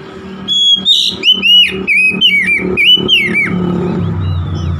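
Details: Oriental magpie-robin singing gacor: a rapid series of sharp, sliding whistled notes, some dropping steeply, delivered in close succession over a noticeable low droning hum in the background.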